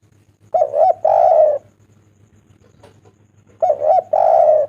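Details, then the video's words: Spotted dove calling loudly as a lure to make other doves call: two matching low cooing phrases about three seconds apart, each a short coo followed by a longer, sustained coo. "Tekukur gacor suara merdu pol"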